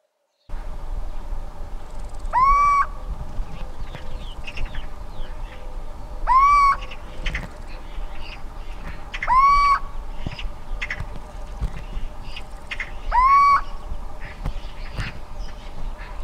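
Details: Little owl in the Alentejo, Portugal, gives its advertising call, a plaintive hoot rising then falling, every three to four seconds. Sparrows and a European roller can also be heard.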